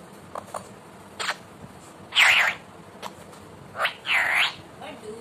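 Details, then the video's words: Talking Indian ringneck parakeet kept as a pet, giving soft clicks, then drawn-out harsh wavering screeches, with a brief low tone at the end. "Talking cute Parrot"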